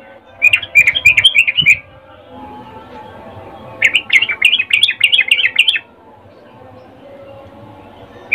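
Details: Sooty-headed bulbul female calling a male, a mating call: two rapid bursts of about seven bright repeated chirps each, separated by a pause, with one more chirp at the end.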